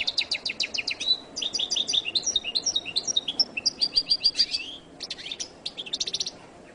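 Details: Goldfinch song, the jilguero latino style, a fast high chattering run of repeated chirps and short trills with clear whistled notes woven through, delivered steadily for about five seconds, a brief pause, then further quick twittering.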